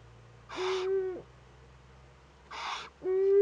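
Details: Young Eurasian eagle-owl filmed by a nest webcam in northern Rhineland-Palatinate, Germany, on 15 May 2013, making first contact with another owl: harsh hissing bursts alternate with drawn-out, nasal, tonal calls rich in harmonics that drop away at the end.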